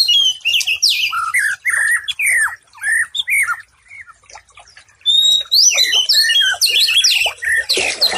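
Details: White-rumped shama (murai batu) master song meant as therapy for stressed birds that stop singing: varied whistled phrases, sliding and rich, then a dense burst of high twittering and rapid notes.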